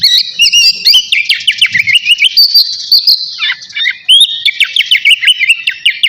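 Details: Navy-type oriental magpie-robin singing energetically just before its bath, pouring out a fast stream of sweet whistles, quick slurred notes and scratchy chips with almost no pause.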